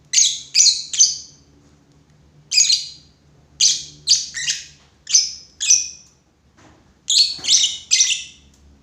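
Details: Shrill, high-pitched lovebird chirps in clusters of two or three sharp notes with short gaps between bursts; a low background hum underneath.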